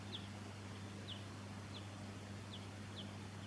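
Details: Silvereye, subspecies pinarochrous, Victoria, Australia, in December 2017, giving brief high thin notes that slide downward, five spaced calls over constant low droning background noise.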